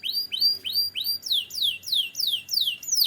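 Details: Belgian canary singing a steady series of bright whistled notes, first rising then sharply falling sweeps, repeated about three times a second.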